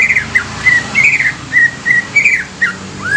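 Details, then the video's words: Young greater green leafbird, used to stimulate other leafbirds, delivering varied whistled notes with downward slurs and a final rising whistle, spaced irregularly over steady low hum. "CUCAK IJO MUDA INI COCOK UNTUK PANCINGAN CUCAK IJO BAKALAN"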